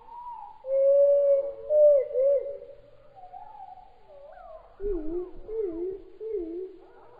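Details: Spotted palm thrush (Cichladusa guttata) song, slowed down: low, fluty whistled phrases that slur up and down, then a run of quick warbled notes.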